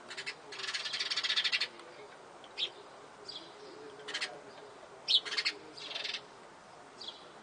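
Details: A family of sparrows feeding on a terrace, the young siblings vigorously competing for food with harsh, buzzy, high-pitched begging calls in short bursts, one long rasping run, then quick overlapping chirps, over faint hiss.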